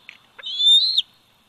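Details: Bald eagle eaglet, 104 days old, at the Big Bear Valley nest on July 27, 2019. A single thin, high whistled call rises slightly and then drops sharply at the end, preceded by a few short soft chips.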